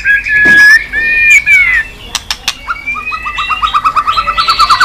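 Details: Tail-flicking white-rumped shama on a cage perch, sung to spur singing: loud sustained whistles, several sharp clicks, then a fast string of short repeated notes rising at the end.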